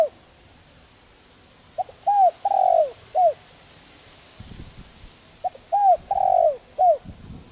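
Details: Spotted dove cooing gently to stir decoy doves: two phrases about four seconds apart, each a soft short note followed by three low hollow coos, the middle one longest and sliding down.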